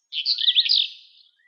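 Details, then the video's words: A female eastern black-eared wheatear sings in Greece: one brief, scratchy, high warbled phrase of about a second, fading out at the end, with a thin lower whistle beneath. "Eastern black-eared wheatear song"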